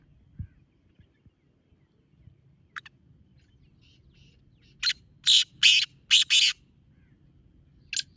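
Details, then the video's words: Black francolin call used for luring francolins: faint scattered notes, then a loud harsh phrase of five grating, broadband notes, the last two paired, with a single note again near the end. "Black Teetar Calling Sound"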